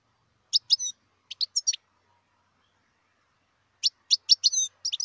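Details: Wild European goldfinch singing: bursts of quick high twittering chirps, a short run near the start, then after a pause a livelier string of clipped, tinkling notes toward the end.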